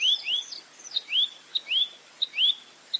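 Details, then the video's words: Clear velvet-fronted nuthatch 'roll tembak' song, recorded for tutoring cage birds: short upswept whistled chirps alternate with crisp high ticks, a steady rhythm of roughly two notes per half second, soft hiss behind. "Masteran Burung Rambatan Mandarin Jernih Full Roll Tembak"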